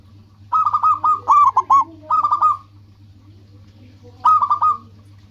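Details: Zebra dove, local type, singing to draw rivals: three closely spaced phrases of rapid, bubbling coos, a pause, then one more phrase, with a steady low hum.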